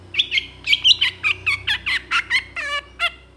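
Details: Long-tailed shrike in full 'isian' song, a master recording for training birds: quick run of short chirps and warbled notes, several with bent pitch, closing with a buzzy rasping note and a faint steady hum behind.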